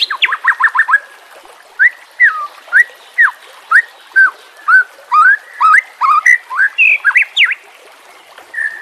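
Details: White-rumped shama training song for captive birds: a quick run of rising whistles, then spaced clear whistled notes with slurred up-and-down phrases, faint background hiss.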